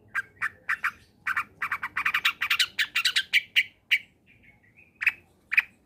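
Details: Energetic combination song of a long-tailed shrike, played to prompt reluctant shrikes to join in: rapid harsh scratchy notes in dense runs, then thin whistled trills and scattered sharp chips.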